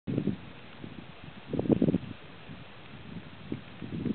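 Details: Black grouse at a lek near Kuusamo, Finland, in June 2008: low bubbling, throaty bursts, loudest in a cluster midway through, with soft wind noise behind.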